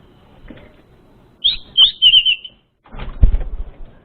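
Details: Orange-headed thrush lure song for an untrained bird: one quick high warbled phrase of slurred notes after faint background noise, followed by heavy thumping and knocking sounds.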